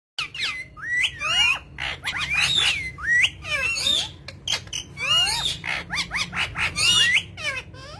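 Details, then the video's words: Parrot presented as talking; dense run of squawks and whistled, bending notes, many sliding up or down, coming in quick bursts with short gaps, over a low steady background hum. "Parrot Talking"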